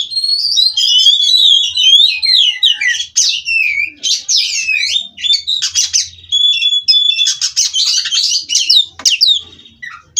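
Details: Captive-bred Oriental magpie-robin in endless 'ngerol' singing: fluid falling whistles open, followed by a jumble of rapid chattering notes, buzzy trills and brief pauses between bursts.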